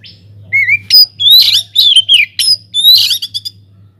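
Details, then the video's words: White-rumped shama in an aviary in full song, meant as a lure to prompt other birds to sing: a rising whistle followed by rapid loud harsh and warbled notes in quick succession over a low hum. "cocok buat pancingan | BURUNG KACER GACOR DIDALAM UMBARAN"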